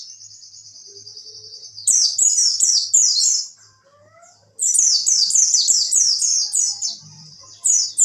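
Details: Oriental white-eye tutor song in the wit wit style for contest birds: a sustained high thin tone breaking into fast repeated falling chirps, a brief lull with softer low whistles, then more rapid high chattering runs.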